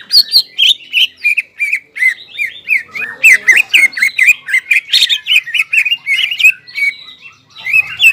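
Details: Crested greater green leafbird singing vigorously to rouse stressed leafbirds that have stopped singing; steady stream of high chirps and curling whistled notes, rapid and varied throughout.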